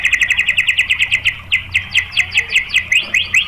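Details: Shama lure song, 'tembakan' style, meant to provoke rival birds: a fast series of bright repeated notes at about the same pitch, each with a sharp upward flick, slowing slightly toward the end.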